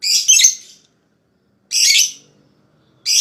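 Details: Lovebird calls used to prompt rival lovebirds to chatter: long, harsh, noisy squawks lasting most of a second, separated by pauses of about a second, with faint low background hum.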